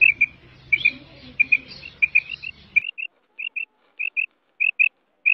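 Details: Female quail in Mianwali, Pakistan, uttering short, high chirps in pairs. The first half is masked by rumbling background noise, and the later pairs ring out in near silence at regular spacing.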